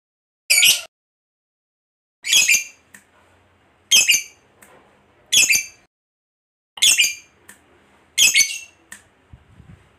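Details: Harsh, squeaky single calls of a fighter lovebird, spaced one to two seconds apart with quiet between, as a lure for other lovebirds.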